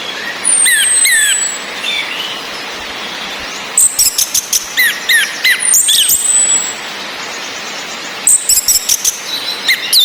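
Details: Orange-headed thrush, female whistling mixed with rain and male song to push quiet males to sing: thin high drawn-out whistles, paired rising notes, and bursts of rapid chattering, separated by stretches of hissing rain.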